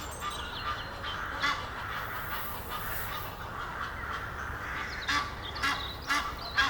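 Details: A courting pair of Egyptian geese up a tree near Henley upon Thames: scattered harsh honks building to quick repeated calls near the end, against constant low rumbling background noise.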